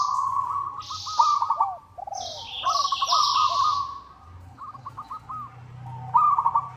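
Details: Local zebra dove calling a rival, used as a lure: repeated phrases of quick, ringing coo notes and downcurved coos, with bursts of hissing high bird chirps overhead and a low background hum.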